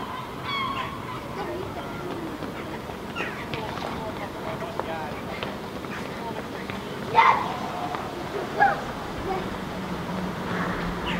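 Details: A Herring Gull pair (Larus argentatus) standing on a rooftop in Helsinki, Finland, in July 2015 give short, honking calls over a steady background hum.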